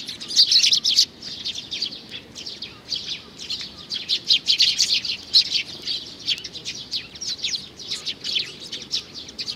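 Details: Young sparrow, a small chick, uttering long series of high, thin chirps, loud at the start, then a steady rapid chatter of sharp notes throughout.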